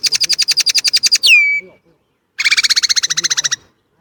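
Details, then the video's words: Two rapid trills from a Chinese blackbird, each a machine-gun series of about twelve notes per second. The first ends in a sweeping downslurred whistle, and the second is harsher and buzzier. "烏鶇(黑鶇)的叫聲/Sound of Chinese Blackbird"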